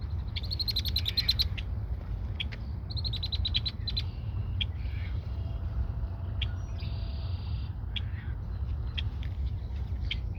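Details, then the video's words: A red-winged blackbird at Montrose Point Bird Sanctuary sings toward the recordist: bursts of sharp, stacked clicking notes, then a drawn-out buzzy trill, over a steady roar of wind. "Red-winged blackbird Singing to me"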